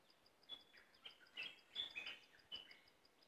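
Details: Cream-vented bulbul singing a loose run of short bubbly chirps and brief whistled notes around the middle pitch range, fairly faint, over a steady faint ticking pulse and light background hiss.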